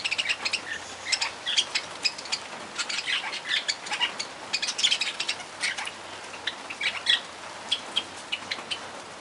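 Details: Barred parakeets chattering as a group: a dense, continuous stream of overlapping short, sharp chirps and squeaky notes with no pauses, over a steady background hiss.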